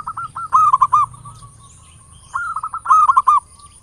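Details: Local zebra dove singing in the ngayer nulop style, a lure meant to trigger song in other doves: two cooing phrases, each a rapid run of clipped notes swelling into a louder rolling finish.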